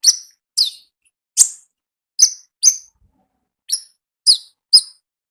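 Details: Wild konin calling actively with single shrill, high-pitched chirps, each brief and slightly falling, spaced about half a second to a second apart.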